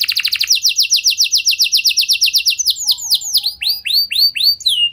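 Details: Singing canary, a training song to draw other canaries into singing: very rapid high trill, slowing into distinct swept whistled notes, then slower looping chirps and a drawn-out final whistle.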